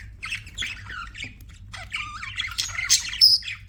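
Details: Budgerigar chatter: warbling chirps, wavering whistles and a thin high squeak, irregular and continuous.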